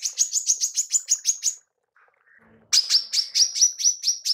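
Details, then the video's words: Female manggar tembakan: a rapid string of high, buzzy chips, a short quiet pause with faint low notes, then a second string of slightly lower, harsher chips. "TEMBAKAN MANGGAR BETINA"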